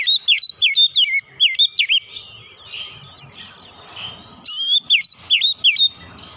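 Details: Oriental magpie-robin singing in rapid-fire 'nembak' style, showing off its varied repertoire: a quick run of bright, looping whistles, then a softer, jumbled warbling passage, then another fast string of sharp whistled notes.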